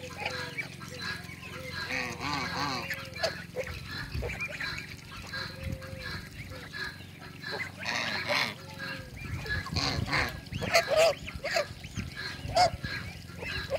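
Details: Domestic ducks, Call ducks with Cayuga ducks (kept for hybrid breeding) meeting in a backyard, quack loudly and repeatedly in a busy, overlapping flock chorus of harsh, nasal calls, with other ducks joining in throughout.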